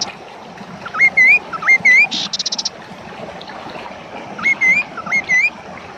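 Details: Kaso kaso bird singing loudly, used as a training track and for luring other birds into song: clear rising whistles with an S-shaped upsweep, given in pairs, broken by a short, fast, buzzy trill.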